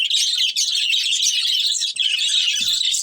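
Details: Loud, unbroken budgie chirping from a breeding pair: dense high twittering and warbles, dipping briefly just before two seconds.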